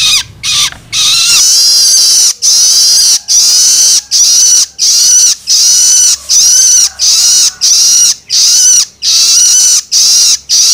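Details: Juvenile long-tailed shrike begging calls for stimulating adult birds: long, drawn-out harsh screeches, some nearly a second, separated by brief gaps, fairly continuous and rasping.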